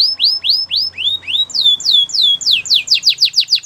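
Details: Belgian singing canary repeating loud, clear downslurred whistles about twice per second, the phrases gradually speeding up into a denser rhythmic series.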